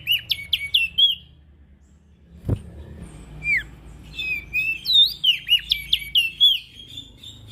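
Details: Ashy prinia, used as a lure for small birds, giving rapid high chirps and twisting whistled notes in uneven bursts throughout, with one sharp knock and a steady low hum underneath.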